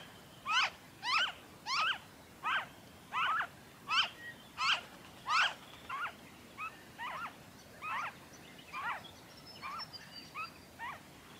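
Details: Noisy friarbird calling in Victoria, Australia, in February 2023: a regular series of harsh, sliding notes about two per second, loud at first, then fading and softer toward the end.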